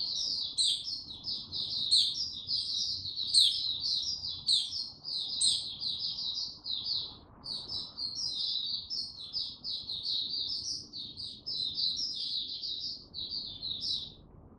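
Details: Male white-eye recorded 6 March 2022, slow and steady before bursting into full song: nearly fifteen seconds of fast, high, tinkling chatter, with sharp shrill accents early on and one short break near seven seconds.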